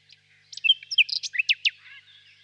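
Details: Common nightingale song with a varied jumble of high notes: brief slurred whistles, a few short trills and several loud, sharp downstrokes, all within about two seconds.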